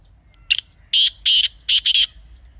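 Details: Grey francolin calling, presented as a natural recording for hunting use: one short sharp note, then four loud, harsh, grating notes, the last two nearly joined, over a quiet background.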